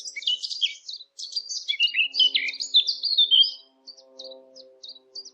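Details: Bird chirping in lively high, warbling phrases of slurred and trilled notes, ending in a few short separated chirps, with faint low steady tones humming underneath.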